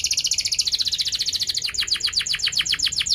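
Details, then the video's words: Canary rolling song, sharp and rapid, played as a lure for young canaries learning to sing: a dense high trill shifting into evenly repeated pulsed notes, about four per second. "Kenari Gacor Cuit cuit NgeroL TAJAM | untuk Pancingan kenari Paud belajar Bunyi & kenari MACET BUNYI"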